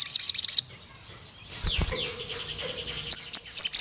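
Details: Crimson sunbird (sogon) calling a rival male: a short fast run of shrill high chips opens, then faint slurred notes and a few isolated sharp high 'cuit' notes near the end.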